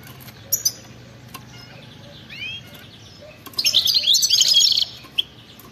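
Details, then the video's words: Goldfinch giving wild-style 'batbata' song: long quiet gaps with a couple of sharp chips and soft rising whistles, then one dense burst of rapid, high, jangling twitter, followed by a single short note. "أطلع لي اي حسون ما يغنيش وسمعو هذا التغريد 😱😠 راح يغني بدون مقدمات بتبتة جنونية وغناء خلوي خرافي"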